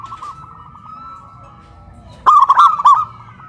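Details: Local zebra dove singing loudly in a cage raised on a pole, Kuningan, West Java, duetting with a crystal-voiced bird: after a quiet stretch with a steady faint tone, one strong phrase of rapid rolling, bubbling coos.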